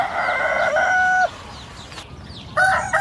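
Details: Crowing rooster, Southwest Asia: a long held harsh note ending on a clear falling tone, a quiet gap, then the next crow beginning.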